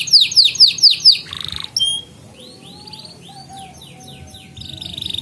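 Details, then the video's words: Canary training song: a few loud descending swoops, a short buzzy roll, a sharp whistle, then softer slurred upward notes and a faint lower whistled line before a rising trill at the end. "Kenari GACOR Masteran Burung Kenari PAUD Belajar Bunyi dan Pancingan Kenari Macet"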